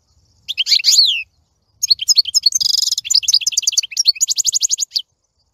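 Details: Goldfinch song opening with a slurred whistled phrase, then after a pause a rapid jangle of liquid twitters, buzzy trills and repeated chirps lasting about three seconds.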